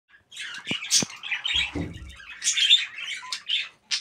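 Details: Two budgies chattering together with rapid, scratchy warbles, squeaks and clicks in a busy, continuous stream.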